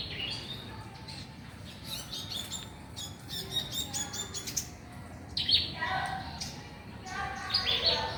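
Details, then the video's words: Small, loud bird singing in a mango tree: busy, high twittering phrases, then louder, descending chirped bursts, with steady background noise. "BURUNG KECIL BERSUARA KERAS"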